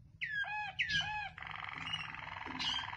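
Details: Waterslager canary: two curving whistled phrases that drop and rise, followed by a dense buzzing rolling trill, with faint low background hum.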